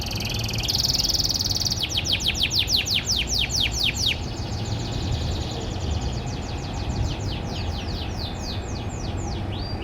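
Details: Morning canary song from a private farm collection: a bright, loud buzzy note, then a rapid cascade of sharp descending sweeps, easing into softer, slower falling notes, with low background hum.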